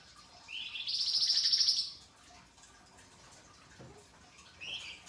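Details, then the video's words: Pied triller singing actively for a masteran recording, in a coarse rasping style: one buzzy phrase of about one and a half seconds that rises then holds, followed by quiet and a short, soft rasp near the end. "Top Masteran Flamboyan Gacor Dor Ngebren, Mbeset Kasar dan Nembak Tajam Suara Kristal"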